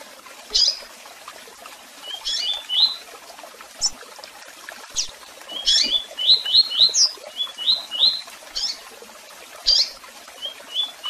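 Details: Double-collared seedeater song with chirps and calls: sharp high chirps spaced irregularly, mixed with quick bursts of three or four short whistled notes, some faint clicks in the background.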